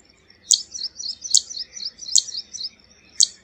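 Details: Four crisp, high-pitched clicks from a zitting cisticola, evenly spaced under a second apart, with busy faint twittering filling the gaps.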